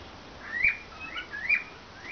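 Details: Monk parakeet, a half-sider, recorded on 6 March 2012: a few fairly soft chirping calls that rise and fall, each with a bright squeaky peak, about one per second.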